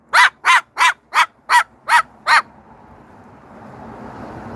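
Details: A pet Moluccan cockatoo (Cacatua moluccensis) gives seven harsh, barking squawks in quick, even succession, barking at dogs it sees, here a dog across the street.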